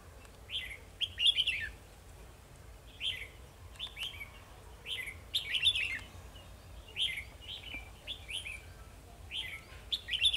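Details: Red-whiskered bulbul used as a caged decoy in trapping on 2 December 2020, singing fighting song at rivals: short warbled, slurred phrases repeated in bursts every couple of seconds, with faint low background hum.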